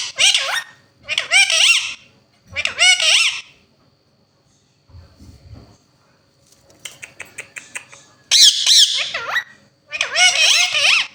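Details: A talking pair of Indian ringneck parakeets chatter in bright, high, raspy speech-like phrases, several short bursts of mimicked talk with pauses between, plus a run of quick clicks.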